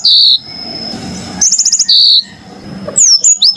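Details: Yellow-fronted canary singing super clearly: a buzzy note, a pause, a quick high ticking trill and another buzzy note, then a falling whistle, with a constant high tone and soft low background rumble.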